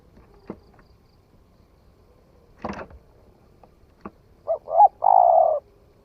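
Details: Young, newly calling spotted dove in the forest; scattered sharp knocks and rustles come first, then one phrase of two short notes and a long, steady coo.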